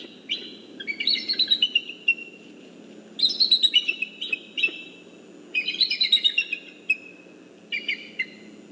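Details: Eagle pair communicating at the nest tree as hatch time approaches, afternoon of 12-11-14. Four bursts of high, piping chatter, each a quick descending series of squeaky notes lasting one to two seconds, over faint low background noise.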